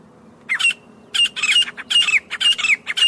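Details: Grey francolin recorded in the jungle, giving harsh, high, screechy call notes in quick bursts. Each burst carries a short whistled note that slides downward, with about five bursts over three seconds against a quiet background.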